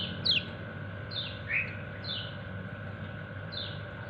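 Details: A white-eye, locally called kecial kuning, calls its companions: a loud sharp downslurred chirp, then softer falling chirps and a brief lower twitter, spread over four seconds above a continuous hum.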